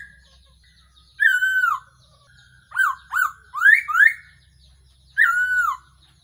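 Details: Decoy-call recording of a black-throated laughingthrush: clear down-slurred and up-slurred whistles in a few separate bursts over six seconds, with silence between phrases and a faint low hum beneath.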